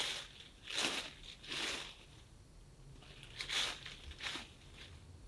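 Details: Crinkling, tearing rustles come in bursts about once a second over a quiet background.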